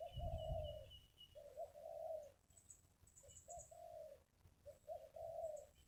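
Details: Spotted dove, a wild bird at a ground decoy site, repeats soft, steady coo phrases over a noisy background, with low rumble, a thin high whistle early on and other faint high chirps.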